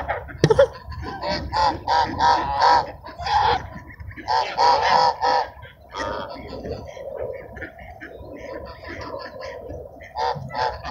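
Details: Park ducks crowd in while being fed at sunset, calling in clustered bursts of nasal, even-pitched quacks with short pauses between groups, over faint background noise.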